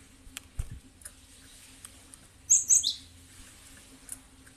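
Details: Cinereous tit in a lure recording meant to make other birds answer: a brief cluster of three or four high, bright chirps lasting under half a second, over a faint steady hum with scattered ticks and soft knocks.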